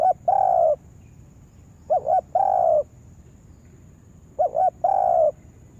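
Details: Lure spotted dove for trapping giving its call three times, each a quick double note then a longer level coo, spaced about two seconds apart, over a quiet background with a faint steady high-pitched hum.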